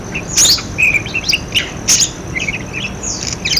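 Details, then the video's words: Budgerigar chatter used to prompt silent parakeets to sing: quick, scratchy chirps and warbles mixed with sharp, high clicks and squeaks, bursting out every second or two. "suara parkit buat pancingan parkit macet bunyi"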